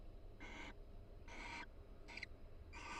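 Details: Pair of barn owls chatting softly while grooming each other in a nest box at the University of Florida: four quick, breathy rasps within three seconds, one shorter and sharper than the rest.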